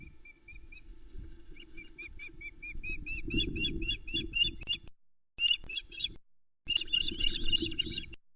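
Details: Osprey calling at its nest cam in Loch Arkaig's Arkaig Community Forest, early morning 10 July 2020, as the male brings the day's first fish, a headless trout, to the female and three chicks: rapid high whistled chirps in quick series, breaking off briefly, over low wind rumble.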